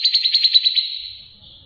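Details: Grey-cheeked bulbul singing for tutoring other songbirds: a short burst of quick, high, pulsed trill notes that trails off within a second.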